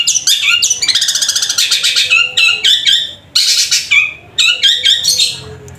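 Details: Long, powerful 'gacor' singing by a long-tailed shrike (cendet) mixing in sparrow-like 'gereja' notes: rapid buzzy rattles and squeaky chirps in continuous bursts, broken by brief pauses before the next loud run.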